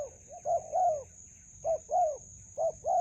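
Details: Spotted dove calling in a melaleuca grove where it is being trapped with a decoy: soft, mid-pitched coos in paired groups, a short note then a longer arched one, over a constant thin insect hum.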